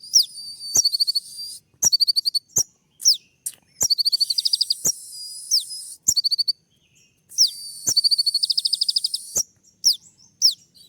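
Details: Kolibri ninja sunbird in full 'tembak' shooting-style song, wooing a female: sharp, dense high trills in bursts of rapid ticking notes, with piercing downslurred chirps between phrases and brief silent gaps.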